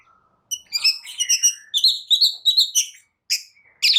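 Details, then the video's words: Long-tailed shrike singing to fire up reluctant birds: a faint low note, then a burst of bright chattering phrases and whistled slurs, a brief pause, and two sharp closing notes. "Cendet Malas Bunyi Agar Cepat Emosi gacor Sekali Dengar"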